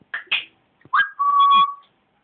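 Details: Caged pet parrot chattering under its cover after throwing food: two quick chirpy notes, then a clear whistled tone that rises and holds steady before fading.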